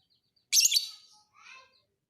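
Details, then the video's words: ['Fighter lovebird singing as a master recording for training other birds: one sharp, shrill, harsh chirp burst lasting about half a second, followed by a few faint, thin chirps from another bird.'] "KICAU BURUNG LOVEBIRD FIGHTER"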